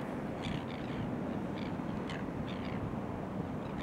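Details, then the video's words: Crested terns courting and coupling up at Boat Harbour Aquatic Reserve, Kurnell, Australia, September 2020. Scattered hoarse, croaking calls rise above a loud, low rumble of waves and wind. "Charismatic Crested Terns – Courting and coupling up in Kurnell"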